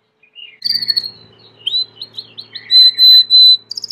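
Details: Domestic Belgian canary singing: a short whistled note, slurred chirps near the top, a run of quick rising notes, then long even buzzing trills held on one pitch and a final fast ticking roll.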